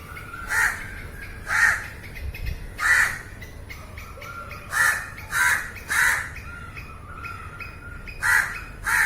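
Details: Crow cawing, recorded on site: nine harsh caws in loose clusters of two and three, with faint thinner calls and a low background rumble between them.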